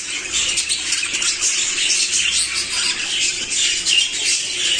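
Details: Show jumbo budgerigars chatter in a dense, scratchy warble of fast chirps and squeaks during mating.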